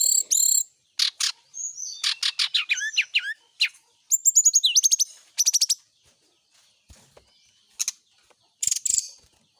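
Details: Captive brown-chested jungle flycatcher in the morning dew routine, giving loud rattling chatter and fast trilled runs, then brief quieter gaps and a final high burst.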